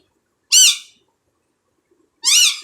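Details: Pet Indian ringneck parrot, hand-tame and said to talk in Urdu and Hindi, gives two loud raspy squawks about two seconds apart in a quiet indoor room.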